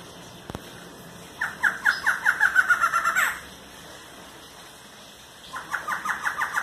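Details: Barred antshrike giving a rapid series of about ten nasal, downslurred notes that speed up and end in a sharp rising note, then a second similar series begins after a pause.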